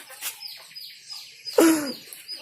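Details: Talking hill myna copying human greetings and the word Allah: soft scattered sounds, then one loud, harsh, voice-like syllable with a falling tone near the end.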